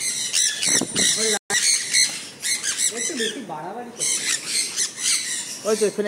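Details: Sun conures enjoying a rain shower, shrill harsh squawks in bursts and brief pauses, while a man talks quietly nearby.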